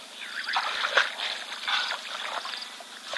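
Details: Red-billed oxpeckers on a giraffe at a waterhole give harsh, hissing, overlapping chatters in short bursts, over a steady background hiss; red-billed buffalo weavers nest in the tree above.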